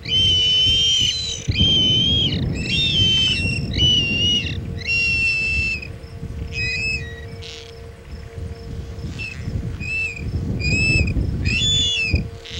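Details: Osprey calling at its Chesapeake nest on 22 August 2019 amid a failed food delivery. A run of ringing whistled notes shortens midway into quicker, choppier calls, about one a second, over rumbling wind-like noise and a steady hum.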